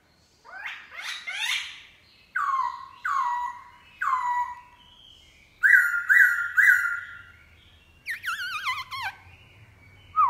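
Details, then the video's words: Black-throated laughingthrush singing in the morning in a wild-style voice: rich whistled phrases, falling slurred notes, then three quick repeated whistles and a burst of rapid trilled notes. "Khướu mun bổi hót giọng rừng cực phê . vào buổi sáng"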